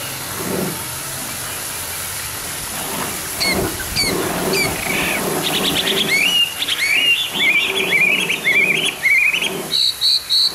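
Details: Hwamei song at morning, starting after background noise and a few sharp notes: fluid whistled phrases, climbing and rolling, become louder and more continuous toward the end.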